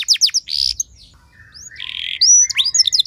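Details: Singing canary in a training recording meant to spark song in other canaries: a few sharp chips, a harsh buzzy note, then soft rising whistles and a drawn-out buzz ending in bright chirps.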